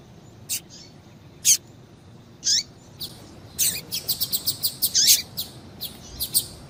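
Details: Female double-collared seedeater calling to stir males: a few slow, separate high chirps at first, then quickening into a lively burst of many rapid sharp notes, thinning out at the end.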